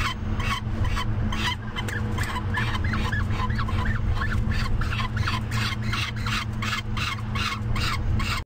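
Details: Nest-camera recording from Topeka, evening of 18 May 2014: a falcon chick with a full crop during a five-minute feeding by the male. Steady run of short, harsh, bending notes, about two each second, with a constant low hum beneath.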